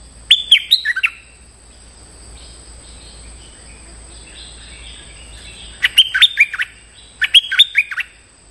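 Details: Stripe-throated bulbul lure call aimed at a territorial resident bird: three bright, gurgling phrases of fast slurred notes, one early and two close together late, over faint insects and a constant high electronic whine.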